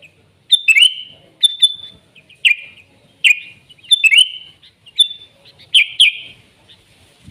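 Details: Wild sooty-headed bulbul singing in a natural setting, with quick chirpy phrases, each a clipped note followed by a slurred descending whistle, given in steady bursts roughly once a second.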